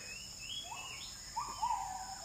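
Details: Oriental magpie-robin singing in the forest: a few clear whistled notes, some sliding upward, a low pair and a higher pair, with a steady high-pitched hum running underneath throughout.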